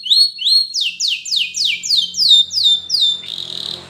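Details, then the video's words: Spanish Timbrado canary song for training young canaries: rapid series of high, sweeping downslurred notes, about three per second, ending in a buzzy trill. "Canary Bird Sound For Training!! Yellow Canary"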